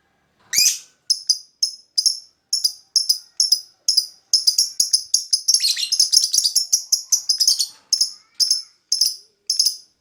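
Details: Lovebird chirping in a lure recording: shrill, high twittering notes in short bursts, a sharp rising note first, then quick repeated chirps that crowd into a dense run around the middle before spacing out again.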